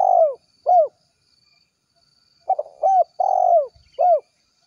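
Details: Spotted dove calling to its companions in the 'kuk 1' style: short hooted coos and longer purring notes, each curving downward, delivered in two irregular bursts separated by a pause of about two seconds.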